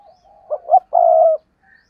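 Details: Decoy spotted dove cooing hard on its perch: a soft low lead-in, two short rising notes, then one long steady coo, all deep and hoarse, with a brief faint higher tone after.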